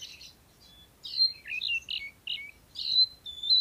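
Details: Oriental magpie-robin, a caged bird described as a strong singer ready for competition: loud high whistles and buzzy warbled phrases in quick bursts, ending in a sustained clear whistle.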